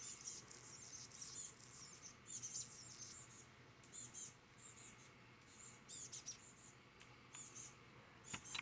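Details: Chestnut-backed chickadee with companions on Vancouver Island, Canada, giving very high, thin, buzzy call notes in short bursts every second or so, over a faint background hiss.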